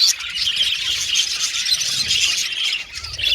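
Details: Budgerigars chirping and warbling together, a bright continuous mesh of high squeaky notes and short trills, dropping briefly in volume near the end before picking up again.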